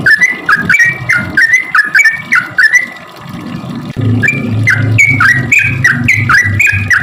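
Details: Chattering song of a sooty-headed bulbul, played to lure bulbuls that seldom sing: quick slurred 'cuk cuk' notes, a short gap, then a second burst of higher phrases over a droning low hum.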